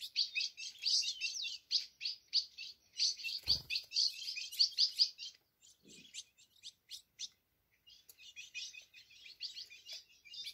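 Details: Caged ultramarine grosbeak singing while gripping the side of its cage: a fast, continuous stream of high, chirpy warbled notes in dense bursts, with a brief soft thump near the middle and a quieter stretch of sparser notes afterward.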